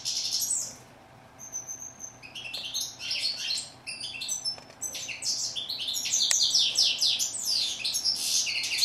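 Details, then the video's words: Singing goldfinch, known in Morocco as steyla, opening with a short phrase, then a pause, then an accelerating jumble of sharp high chirps and downslurred notes building to a dense twittering finish. "Song of bird goldfinch"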